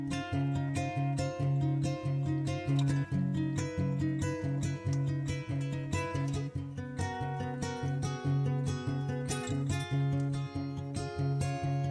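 Strummed acoustic guitar music plays steadily throughout, with no animal sounds.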